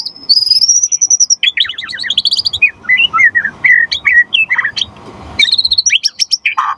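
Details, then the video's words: Singing white-rumped shama, used as a lure and tutor for other birds: a long, high whistled note, then a rapid stream of varied chirps and slurred notes, ending in a fast trill. "Suara Murai Batu Gacor Biar cepat BUNYI Auto NYAUT buat Pancingan & Masteran Burung Murai"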